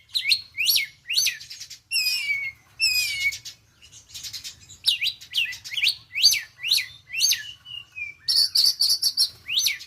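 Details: Oriental magpie-robin, a young bird just out of speckled juvenile plumage, practising 'konslet' style: bright high whistles, down-slurred notes and a fast trilled buzzy run near the end, in rapid varied bursts with brief pauses.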